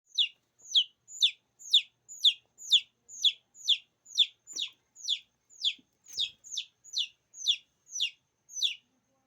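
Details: Chicken chick calls used to attract other chicks: clear, high, downward-sliding peeps repeated steadily about twice a second, some nineteen in a row, over an otherwise quiet background.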